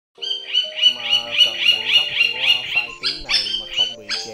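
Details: A rufous woodpecker call, used to call in a flock, gives a quick run of high, nasal notes, about three or four each second, over low, steady humming tones.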